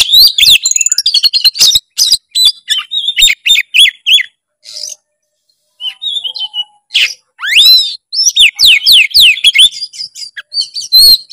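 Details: Oriental magpie-robin singing loudly and continuously with varied filler phrases, played for training: fast dense chattering and clicks, a brief pause, then sweeping rising whistles and rapid buzzy, twittering notes.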